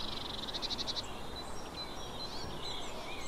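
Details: Eurasian blue tit giving a short, fast, high trill of evenly spaced notes lasting about a second, then only faint high calls over a steady background hiss.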